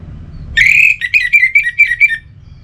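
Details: Captive orange-headed thrush giving a single phrase: a drawn-out whistled opening note followed by about six quick, evenly spaced repeated notes, slightly descending.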